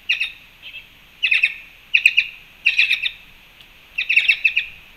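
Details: Black-chested jays, Panama fruit feeder, March 2, 2021: loud, rapid chattering bursts of harsh clicking notes, four or five per burst, coming almost every second with a steady high hiss behind.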